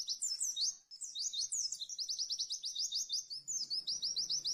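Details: Fast masteran song of a white-eye in 'tembakan' style. It opens with high twisting whistles, then moves into a long, rapid run of sharp, evenly repeated notes and a brief pause. Faint low hum in the background.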